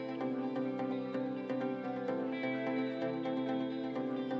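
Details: Soft plucked string music with sustained drone notes and gentle rhythmic plucks, with no animal sounds.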